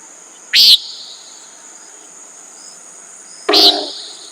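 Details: Two harsh, buzzy nasal calls from a common nighthawk, roughly three seconds apart, with a constant high-pitched insect drone behind.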